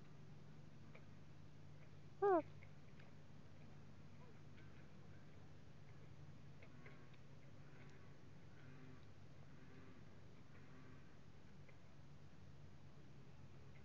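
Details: Common loon father hooting at his chick stuck in weeds on the nest, 2020: a single short, soft hoot that cracks partway through, over a low steady hum and faint background noise.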